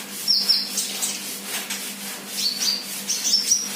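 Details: Kolibri or sunbird, an untrained 'bahan' bird, giving thin, sharp, very high whistled notes in short clusters separated by pauses, with a faint low electrical hum throughout.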